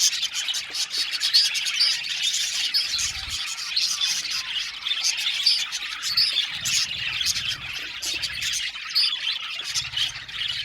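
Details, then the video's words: Australian budgie colony in an aviary, a continuous high chirping and tweeting chorus full of quick clicks and warbles from many birds, with brief low rumbling in places. "Budgie amazing chirping sound | Budgies calling sound to make him happy"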